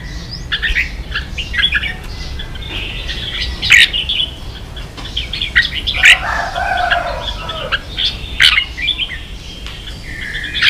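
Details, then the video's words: Red-whiskered bulbul kept in Vietnam, roused to compete, sings scattered whistled phrases and chatter over a steady hiss, with fluttering and a lower harsh note partway through. "Chào mào kích đấu căng lửa chơi cực hay"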